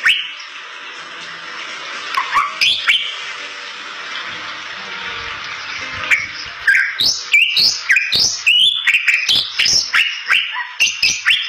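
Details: Bali myna singing as a lure for other Bali mynas; opens over a steady hiss with a few scattered whistles, then breaks into a fast series of upward-slurred whistles and clicks.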